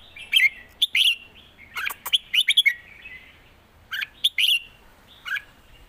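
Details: Red-whiskered bulbuls in cages trade southern master-style phrases in a singing duel: crisp, jaunty whistled notes in clusters, some slurring downward, with pauses of about a second between groups.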